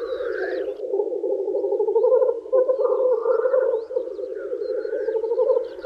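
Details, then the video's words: Male black grouse lekking in spring and wooing females make a steady, low, bubbling cooing chorus, now and then broken by a harsh, rising hiss. "Black Grouse Lekking"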